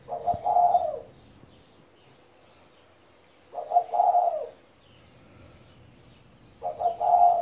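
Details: A 17-year-old pet spotted dove cooing: three low, mellow phrases roughly every three seconds, each a quick stutter of broken notes running into a longer drawn-out coo, with faint chirps from other birds in the background.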